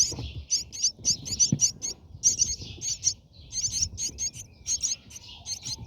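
Brahminy starlings give quick, high, squeaky chirps in rapid bursts of two or three, several each second, over a faint low rumble.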